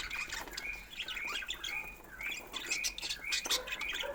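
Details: Pet budgerigars chirping: dense overlapping warbles and short chirps around mid-high pitch, several birds at once, with scratchy clicks and rustling throughout.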